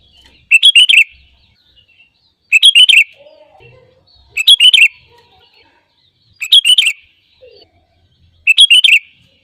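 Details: Sooty-headed bulbul singing to lure and set off other birds: tight phrases of rapid liquid chirps, each about half a second long, repeated roughly every two seconds in near silence.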